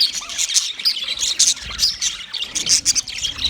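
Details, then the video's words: White male budgerigars chirping in a mating context; bursts of bright, high chirps and short warbled notes come in quick, irregular pulses, about every half second, with scratchy chatter between. "White Males Budgies Chirping sound Parrots mating sound"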